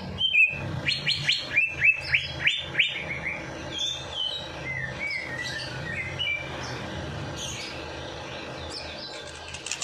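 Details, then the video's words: Freshly bathed at night, a bird sings without stopping to rouse lazy birds: a rapid string of loud, sharply falling whistled notes, then softer, scattered chirps over background noise. "Perangsang Burung Malas Bunyi || Habis Mandi Malam Langsung Cor Dor"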